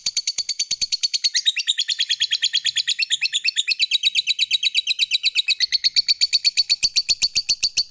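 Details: Ngekek panjang from a fighter lovebird, a lure song to make other lovebirds answer: a sustained, rapid, high chattering trill, its notes wavering in pitch through the middle, then steadying and running on to the end.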